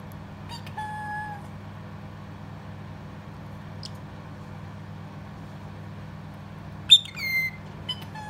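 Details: Pet parrotlet Ozzie talks in thin, high, squeaky phrases ("peekaboo", "excuse me", "good boy", "step up", a fake cough) indoors over a steady hum: a short slurred phrase near the start, then a sharp burst of chattering.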